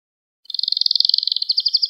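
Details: Canary lesson song for stimulating and training young canaries: one sustained high rolling trill of fast, evenly pulsed notes that slows slightly toward the end.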